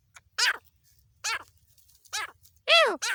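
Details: Harsh, down-slurred cries from a female black francolin in Pakistan, hunting context. Several rasping notes fall in pitch, irregularly spaced, with the loudest and most tonal one near the end.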